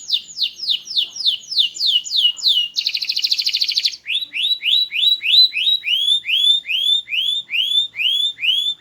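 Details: Loud, melodious small canary singing varied tours: a steady run of falling whistled sweeps, a second-long dense trill, then a long series of rising swoops, about three per second.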